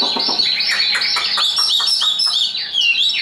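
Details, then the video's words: Hand-tamed Chinese hwamei in a cage, singing high: a dense, hurried mix of whistles, chirps and slurred downward notes, ending in a clear looping phrase. "Họa mi số 1129 Chim thuần sách tay hót cao cầu đấu tốt"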